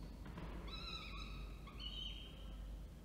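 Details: Orange, New South Wales, 19 October 2024: a falcon calls as the male delivers food and the female feeds. A harmonic whine followed by a higher, drawn-out wail, over low-frequency noise.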